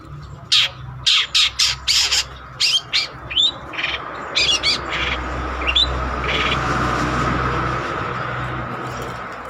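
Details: Long-tailed shrike singing actively, kept as a lure or master song for training other birds: a rapid run of harsh, scratchy bursts and two short rising whistles, then fading into a steady low hum.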